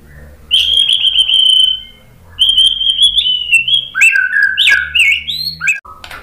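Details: White-rumped shama song used to provoke another bird into singing: loud, clear whistled phrases, long steady notes then rapid jumping whistles with sharp high flicks, separated by a brief pause.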